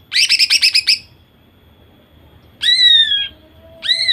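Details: A female greater green leafbird, meant to provoke males to sing, delivers a fast burst of about seven bright repeated notes, then two clear down-slurred whistles after a pause.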